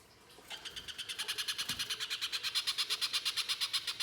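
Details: Little spiderhunter in loud 'gacor' form, 'mbeset nembak kasar' harsh shooting style, used as a lure to prompt other spiderhunters to sing: after a quiet start, rapid harsh buzzy notes repeat about three times a second, growing louder.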